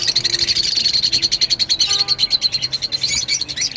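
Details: Rosy-faced lovebird song: a very regular, rapid train of piercing high chirps, roughly four each second, with a brief squeaky flourish near the end.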